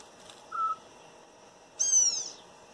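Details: Wild Campo troupial in a backyard in northeastern Brazil: a short, pure, level whistle, then a loud, harsh, descending call with strong overtones.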